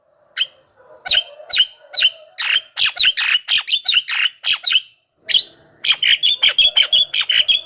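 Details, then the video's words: Javan myna song meant to call wild mynas from the forest: rapid harsh squawking notes in bursts, a brief pause, then a fast run of buzzy whistled chirps. "SUARA BURUNG JALAK KEBO,suara masteran paling dicari,ahli pancingan dengan variasi suara"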